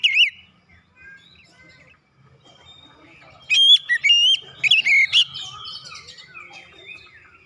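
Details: Oriental magpie-robin singing to provoke other birds into song; a brief whistled note, a long quiet gap of soft distant warbling, then a burst of loud clear whistles and sliding phrases.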